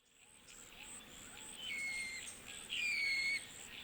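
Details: A Sacred Kingfisher (Todiramphus sanctus) in the bush of Wollemi National Park, Australia gives a squeaky 'tchyeeeur-kyeeeur' call of two drawn-out, slightly falling whistled notes about a second apart, over a steady high insect hiss.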